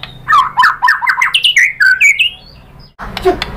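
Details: Murai batu, the white-rumped shama, in a lure recording used to stir birds into song: a burst of rapid, varied whistled phrases, each note sweeping up or down, then a pause and a short noisy flurry.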